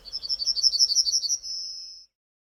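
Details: Yellowhammer in the Nordic region singing a quick series of about a dozen high, thin repeated notes, ending in a long drawn-out high note.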